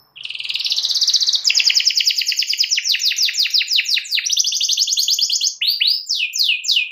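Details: Canary in full song, trying to goad a rival into joining: a continuous, loud stream of fast rolling trills and rattles, changing phrase every second or so, ending in sweeping downward whistled notes.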